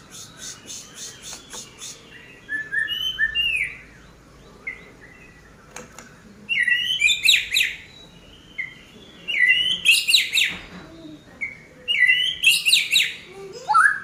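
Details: Oriental magpie-robin singing after dry sauna grooming. The song is varied and mixes whistled slurs, chattering, and rapid buzzy bursts in phrases separated by short pauses. A few sharp clicks and quick repeated pulses open the passage.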